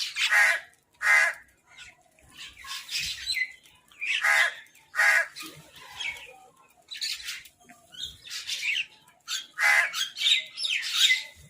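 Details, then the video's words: Crows squabbling over food: loud, harsh caws come in pairs and short runs, sometimes overlapping, with brief quiet gaps and a scratchy edge to each note. "Crow Fight | Crow Eating Food"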